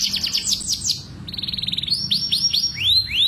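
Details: Mating song of a canary, played to speed up breeding: fast high descending trill notes, then a rapid buzzy roll, then sweeping upslurred whistles, with faint low hum behind.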